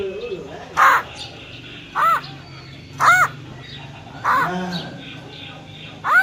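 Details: Female black-throated laughingthrush with a wild-type voice, meant to rouse males: short harsh arched notes, each roughly a second or more apart, over steady low background noise.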